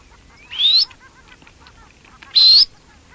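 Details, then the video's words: A red-necked phalarope gives two sharp, scratchy rising chirps about two seconds apart, high-pitched and brief, against a quiet background. "Red Necked Phalarope chirping"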